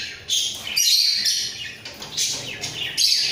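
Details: Two caged budgerigars at a breeding enclosure warble loudly while nodding their heads. Rapid, harsh, high-pitched chattering comes in surging bursts that restart roughly every second.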